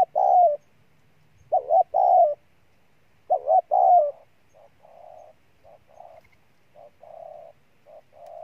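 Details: Decoy spotted dove cooing vigorously: three loud, mellow, two-part coos with a quick rising-falling first note and a longer sustained second, then a run of soft, even, lower-volume coos; quiet background.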